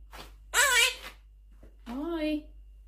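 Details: A pet Quaker (monk) parakeet talks indoors, saying two short, voice-like words, a raspy first one and a clearer falling "hi" about a second later, in a quiet room.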